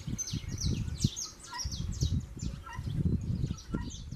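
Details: Saffron finches fighting as the breeding season arrives, giving loud, sharp downslurred chirps in quick runs, mixed with repeated low thumps and scuffling.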